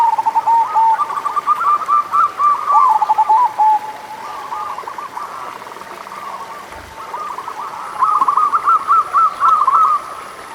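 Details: Local zebra doves singing, used as a lure to stir doves that are slow to sing: rolling, bubbling coo phrases of rapid notes, several overlapping, pausing near the middle and resuming, over a faint steady hiss.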